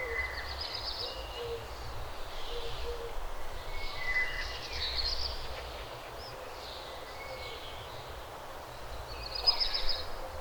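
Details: Morning bird ambience: scattered high chirps and short whistled notes from several birds, with a louder burst of chirping near the end, all over a continuous low rumble and hiss.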